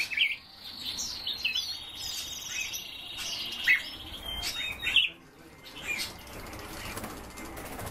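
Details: Azure tits nesting in a cage: bright high chirps mixed with thin buzzy trilled notes, coming in irregular bursts, with faint rustling in the background.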